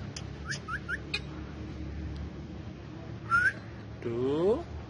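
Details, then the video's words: Pet male ringneck parrots, talking and dancing among other parrots: a string of four quick rising chirps, a short bright upward whistle, then a lower, wavering, rising nasal note near the end. "Cute Talkative Parrots Speaking And Dancing So Lovely"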